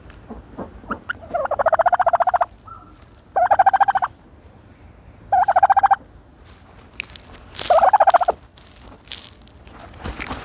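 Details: Turkey dust bathing in dirt, giving four separate bursts of rapid, rattling, trilled notes, each lasting under a second, with scratchy scuffing and thumping sounds of the bathing between bursts.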